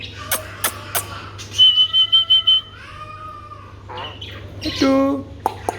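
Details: Alexandrine parakeet, a pet talking parrot, giving sharp clicks, then a series of about six evenly spaced harmonic squawks, a drawn-out tonal note and a nasal buzzy call, over a low hum.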